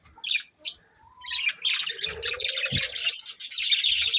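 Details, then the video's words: Caged breeding pair of budgerigars chirping: busy, scratchy warbled chatter of rapid high notes, building into a dense continuous stream, with a lower drawn-out squeaky note midway. "Cute Budgies Chirping Sounds"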